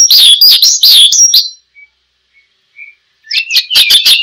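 Oriental skylark song: bursts of high, rapid, buzzy trills and chirps, a pause broken by a few thin whistles, then another burst of rapid notes.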